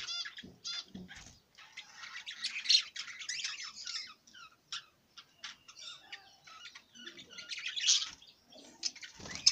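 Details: Budgerigar uttering broken strings of high scratchy chirps and squawks with short silences between, and soft low thumps now and then.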